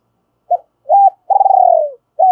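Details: Decoy spotted dove calling in double voice to stir wild doves: a brief coo, a fuller hooted note, a long throbbing purr gliding down, then an arched coo cut off at the end.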